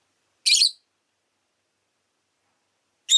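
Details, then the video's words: Two loud, shrill chirps from a rosy-faced lovebird, each a brief raspy burst, separated by more than two seconds of quiet. "Lovebird Chirping Sounds"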